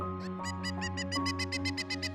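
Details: A Pileated Woodpecker gives a rapid series of about a dozen high, ringing notes that swell in strength, likely its high-pitched escalating alarm call warning other woodpeckers, over steady background music.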